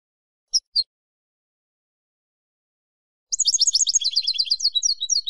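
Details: Two sharp high call notes from a Spanish European goldfinch, a long pause, then a burst of fast, high, jingling twitters that continues to the end.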